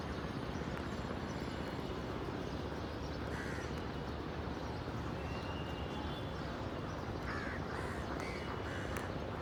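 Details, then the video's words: Black crow cawing: a single harsh caw, then a cluster of three or four hoarse caws near the end, all partly buried under a loud, steady low rumble of background noise. "Crows Cawing Natural Sounds, Crow Sound Effect, Black Crow Bird Sounds Effects"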